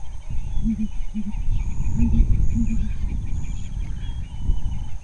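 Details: Female southern ground hornbill (blue under chin) booming in bushveld grassland among impala and wildebeest while hunting insects: deep, muffled double hoots repeated every second or so, low and resonant, with a narrator's voice and low rumble beneath.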